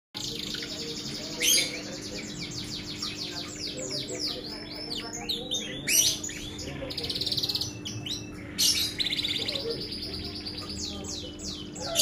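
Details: Canary singing, a run of rapid trills and rolling repeated notes broken by louder, sharper bursts, over a steady low hum in the background.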